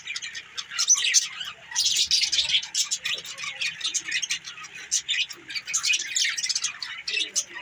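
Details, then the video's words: Budgerigars, several birds, in a dense warbling chatter of overlapping chirps and short squeaks, steady through the whole stretch, with faint low rustling beneath. "Bueatiful Sounds budgies"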